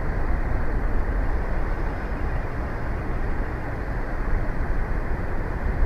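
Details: Loud low rumble of passing traffic or machinery dominates throughout, with no bird or other animal calls audible.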